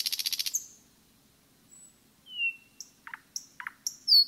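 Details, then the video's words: Common nightingale in a forest, the song's end: a buzzy rapid trill fading out, then after a pause scattered thin whistles, a falling slurred note and sharp high clicks and chirps. "пение СОЛОВЬЯ в лесу"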